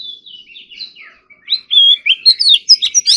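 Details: Oriental magpie-robin in morning singing practice, competition style: soft, low warbling notes build into a loud run of clear rising whistles and rapid chirps.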